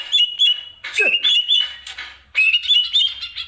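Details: Greater green leafbird kept in a cage and used as a song tutor, singing bright warbled whistles in short phrases with a harsh downward-swept note and short gaps between phrases.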